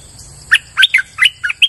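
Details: Streak-eared bulbul lure call: five short, bright slurred chirps delivered in just over a second, sharp and liquid, with a steady high-pitched tone underneath.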